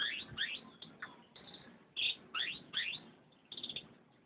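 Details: Canary song of quick rising chirps repeated roughly every half second in small clusters, bright and high, with brief pauses between bursts.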